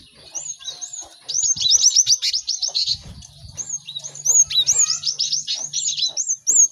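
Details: Cinereous tit training song meant to help birds learn sounds fast: dense, continuous high chattering trills of quick downslurred notes, with overlapping sharp whistled upslurs and a brief low thump midway.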